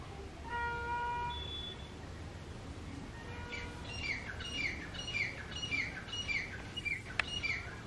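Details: Two wild grey francolins, male and female, calling loudly in their territory. Territorial calls: after a few seconds of steady tonal hum, a fast run of harsh, ringing notes sweeps downward, repeated about every half second.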